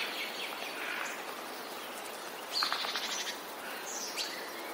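Eurasian treecreeper giving a few very high, thin, brief notes, two clearer ones near the end, over a steady hiss of background noise.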